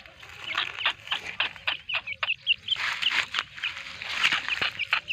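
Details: Black francolin pair with four-day-old chicks; a run of short, high peeping notes, several per second, some with sharp upward flicks, over faint low background rumble.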